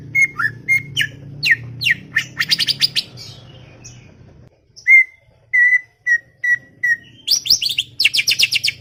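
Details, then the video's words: Greater green leafbird (cucak ijo) chattering in a garden. It gives mixed whistles and trilled bursts over a low hum, then clear flat whistled notes repeated about twice a second, and ends in dense high twittering. "CUCAK IJO cerewet bin bawel"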